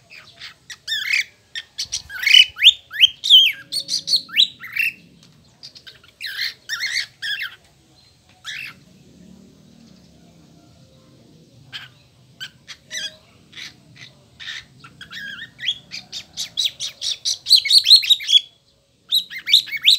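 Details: A pet cockatiel named Luntino sings bursts of bright, high whistles and harsh chirps, with short pauses between phrases.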